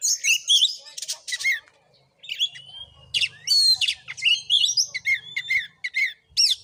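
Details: Oriental magpie-robin in fighting mode during a voice test at a house in Padang Gading village, Sungai Rumbai, Muko Muko, Bengkulu: loud bursts of sweet whistles, rising slurs and harsh buzzy rasps, broken by a silent pause near two seconds.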